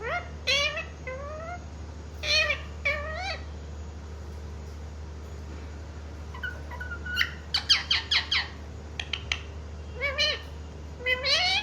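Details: Talking pet parrot said to say mummy and papa. Rising, voice-like syllables come in pairs, then a cluster of sharp squawks and more rising calls. A constant hum runs through.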